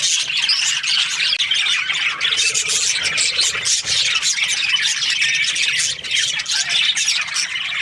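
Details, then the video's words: Chirping from budgerigar breeding pairs: a busy, unbroken wall of high chattering squawks and warbled tweets from many birds at once, steady in loudness across about eight seconds. "Budgies parrot chirping sounds"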